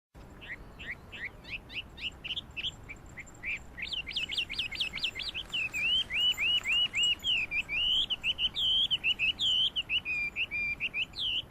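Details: Chinese hwamei song recorded 12 April 2009: a long, loud run of clear whistled phrases, rapid rising slurs at first, then repeated looping notes in steady series, each motif sung several times in quick succession.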